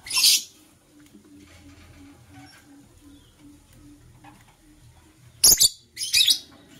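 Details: Morning chirping of a green and blue Personata lovebird: a sharp, shrill squeak at the start, a long quiet stretch with faint background ticking, then two more harsh high bursts close together near the end.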